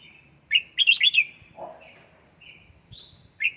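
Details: Caged red-whiskered bulbul trained at home to sing in the fired-up 'căng lửa' style. It gives loud, bright whistled phrases of quick rising and falling notes, then shorter separate whistles. Faint low background noise.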